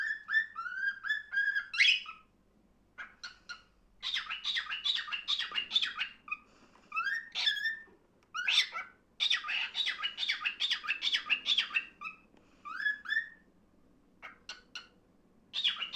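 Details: A pet cockatiel, said to be declaring its love, gives clear whistled notes, then bursts of harsh, buzzy chattering in quick repeated phrases.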